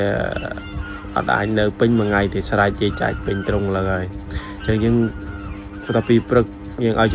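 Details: Domestic geese kept in a pen calling noisily, as they cannot stay penned all day and like to roam and forage: overlapping nasal, harmonic honks in irregular bursts, with a steady high insect-like whine and faint background music throughout.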